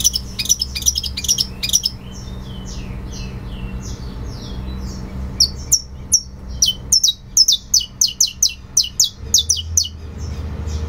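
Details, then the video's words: Fibra-style song of a saffron finch, opening with rapid buzzy high chips, easing into softer sliding notes, then building into a fast, loud series of piercing descending notes with a faint hum beneath. "CANÁRIO DA TERRA CANTO FIBRA"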